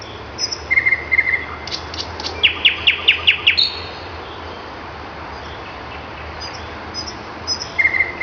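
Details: Common nightingale singing in the morning in May: steady whistled notes, then a fast series of about six sharp repeated clicking notes, followed by a pause and another whistle, against a constant hiss of background noise.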